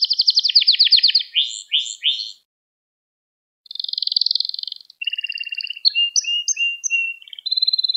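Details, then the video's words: Canary singing as a lesson for young canaries: fast rolling trills and buzzy slurred notes, a short silence, a high pulsed trill, then scattered whistled notes and short trills. "Kanaryanız Çıldıracak Ders Gibi Kanarya Sesi Ve Ötüşü"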